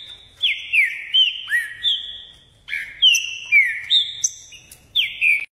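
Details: A Green-winged Saltator (trinca-ferro) in Caxias, Rio de Janeiro, sings loud, clear whistled phrases of slurred, falling notes, repeated in quick bursts over a few seconds, with no other sounds.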